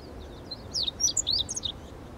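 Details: One quick meadow bunting song phrase: a tight burst of high, sharply slurred chirps and twitters lasting just over a second, with a low ambient hiss behind it.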